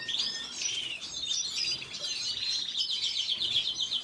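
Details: Red siskin delivering high, squeaky twittering phrases, quick notes jumping in pitch, with faint buzzy passages mixed in throughout.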